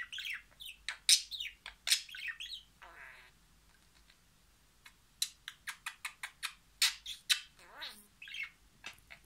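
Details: A budgerigar chatters in rapid, squeaky bursts of mimicked Turkish speech, words like "sarışın", "Allah bir", "babacık", "cicikuş", "aşkım", "profesör", mixed with sharp chirps.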